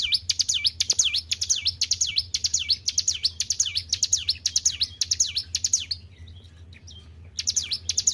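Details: Hill prinia in energetic song, product of good care. Rapid high V-shaped notes repeat about twice a second for six seconds, pause for over a second, then resume. Steady low hum throughout.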